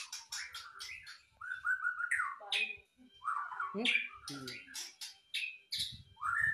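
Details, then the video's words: White-rumped shama singing actively: a dense, varied stream of rich whistles, quick chirps and buzzy slurred phrases with brief pauses, including a scratchy descending rattle midway; faint low background noise. "KICAUAN MURAI BATU GACOR"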